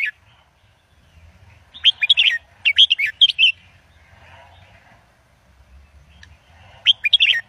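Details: Song of the red-whiskered bulbul in Indo-double style meant for tutoring young birds: lively, chattering note groups at a fairly high pitch, roughly three phrases close together, then silence and another short burst.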